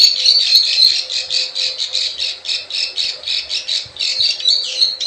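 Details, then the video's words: Plain prinia lure sound for attracting wild birds: rapid train of rasping, buzzy notes pulsing roughly four times per second in a continuous chattering stream, with faint high ticks. "SUARA PIKAT PRENJAK SAWAH_KLIK KLIK_CIWAH"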